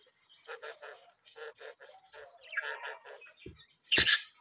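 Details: Newly hatched budgerigar chicks in a home aviary: a series of thin, high whistled notes, each drawn out and repeated about every half second, with lower chattering beneath; a sharp loud clatter near the end.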